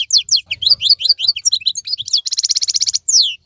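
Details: European goldfinch kept in a cage, singing during the moult while other birds are silent: rapid liquid twitters and chirps, then a fast buzzy rattle and a final descending slurred note.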